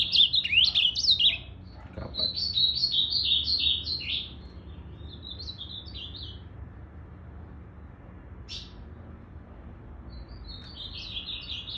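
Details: Blue-black grosbeak, 8 September 2020, tail not yet fully regrown: several separate bursts of bright, warbling song with quick up-and-down slurred notes, pauses of silence between phrases, and a faint low hum underneath.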